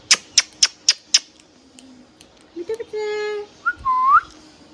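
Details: Hand-tame pet green ringneck parrot making five quick regular clicks, then a steady buzzy tonal note and a short rising whistle, all in a quiet indoor-sounding setting.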